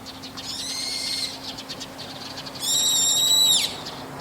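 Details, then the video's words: Brown-eared bulbul calling on a roof in the evening: two loud, shrill, drawn-out screeching notes, the first about a second long and the second louder and slightly rising, over a faint steady hum. "ヒヨドリの夕方の鳴き声 Brown-eared Bulbul"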